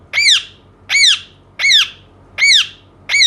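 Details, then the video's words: Pet Indian ringneck parakeet indoors repeating a loud, harsh arched squawk five times at steady intervals of roughly 0.75 seconds, each note rising then falling in strong harmonic stacks, with low room hum behind. "cute parrot talking indian ringneck"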